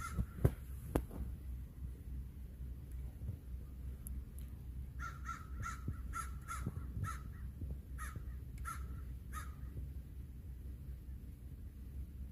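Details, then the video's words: Crow asking for a snack: after a few quiet seconds, a run of about nine short, harsh caws comes in quick succession over a steady low background hum, then the calling stops. "Crow asks for a snack"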